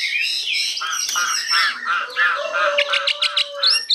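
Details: Newly arrived caged hwamei, 85% tame, sings high, rich warbled phrases and rapid chirps, with human speech and a steady low tone audible underneath.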